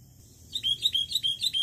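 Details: Wild Sooty-headed bulbul used as a lure call: a run of bright, bubbly chirps, about five quick notes in just over a second, high-pitched and lively over a faint low hum.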